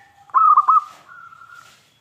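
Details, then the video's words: Zebra dove, local Indonesian perkutut with a big voice, kept as a lure to make other doves reply. One phrase: three rapid, bubbling coo notes, then a long, quiet, steady drawn-out tone. "PERKUTUT LOKAL GACOR suara besar - MENGUNDANG BUNYI SEMUA JENIS BURUNG PERKUTUT (PASTI NYAUT)"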